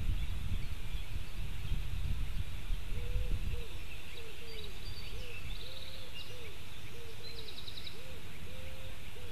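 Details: A white-tailed eagle chick squeals from its nest on a webcam in Latvia, 15 July 2018, in a steady series of short, arched, thin notes, about one a second, over low wind rumble with faint chirps from other birds.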